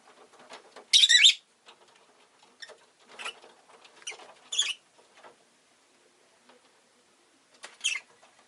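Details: Rosy-faced lovebird (Agapornis roseicollis) chirping: short, harsh, buzzy screeches at about one, four and a half, and eight seconds, with soft scratchy chatter between them and quiet gaps.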